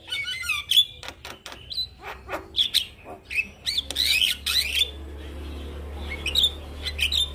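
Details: Song of a male Javan myna, used to teach other mynas: quick high whistles and slurred squeaks interleaved with clicks and raspy bursts, then softer whistles over a steady low hum.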